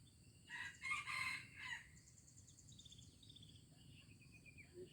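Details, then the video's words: Junglefowl from Aceh, recorded 25 April 2020, giving a short harsh crow of about four broken, buzzy bursts lasting just over a second, followed by high chirping birds and a steady insect drone. "Ayam Hutan Aceh"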